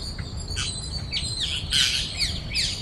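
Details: Parrots feeding as a flock at Cubbon Park, Bangalore, Karnataka, give harsh, grating squawks and chirps in rapid overlapping bursts over faint low background rumble.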